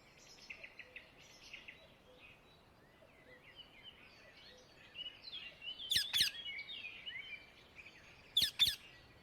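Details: Indian ringneck parakeet calling in the wild. Busy twittering from many small birds fills the opening seconds, then two loud, rasping screeches arrive close together, followed by another pair near the end.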